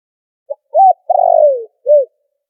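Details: Spotted dove lure call used in trapping, noise-filtered: a single soft low cooing phrase, a short tap-like note, a rising-falling coo, a drawn-out purring coo that drops in pitch, and a final short arched coo.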